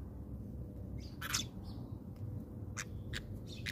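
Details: House sparrows at a feeder in South Africa, coming down to peck at birdseed; scattered short, sharp chirps and squawky notes, several overlapping, over a steady low background rumble.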